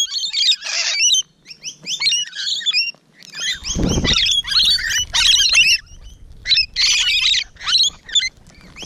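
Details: Rainbow Lorikeets heard close by on a June morning, loud piercing screeches and twittering bursts with short pauses, and a brief low thump partway through.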